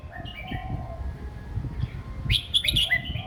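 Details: Caged red-whiskered bulbul, a young bird with an easy, copyable song style: soft slurred whistles first, then a loud burst of bright, sharp warbled notes, with rumbling low background noise throughout.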